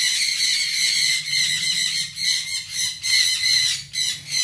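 A sun conure gives harsh, shrill screeches in quick succession, each burst rising and falling.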